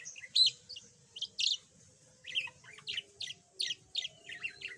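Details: Yellow budgerigar that used to be mute, now chattering a little: high, squeaky chirps come about once a second in uneven bursts, some buzzy, with quiet gaps between them.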